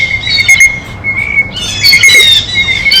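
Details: Blue jays feeding at a feeder: a few rough, buzzy squawks, the loudest clustered near the end, with a faint steady high tone running underneath.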